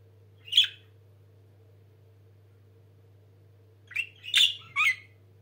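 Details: A pet budgerigar pair, out of the nest and being held in the hand, gives a few scratchy, chirping notes with a pause between bursts.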